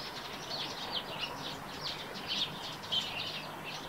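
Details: Eurasian tree sparrows near a rooftop nest give a steady run of short, bright chirps, some dense and overlapping, scattered through the whole stretch over light outdoor background noise.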